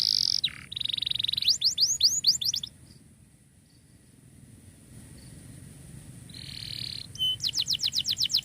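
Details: Canary singing as a tutor for canaries that stopped singing: buzzy bursts and a short run of rising slurred notes, a quiet pause of several seconds, then a steady high buzz and a fresh rapid trill.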